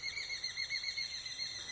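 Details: A Bat Falcon gives its repeated song, a high, piercing run of quick notes, steady in pitch and audible from far off in forest, with no other clear sounds.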